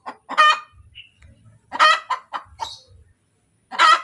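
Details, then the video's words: ['A laying hen cackles kotek kotek, piercing squawks about every 1.5 seconds each followed by several short clucks, with quiet murmuring notes between.'] "SUARA AYAM SETELAH BERTELUR | AYAM BERKOTEK | AYAM BETINA BERTELUR"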